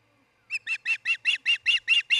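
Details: Osprey at a nest in Charlo, Montana, late June, early morning (about 6 am), where a pair raises a family, gives a quick run of nine sharp, whistled cheeps, about six per second, each note high and slightly harsh.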